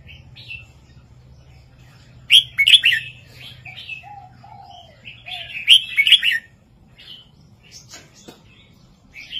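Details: ['Master song of a red-whiskered bulbul in southern style 3-4-5, used for caged-bird training: two loud, bubbling warbled phrases with faint, lower whistled notes in between.']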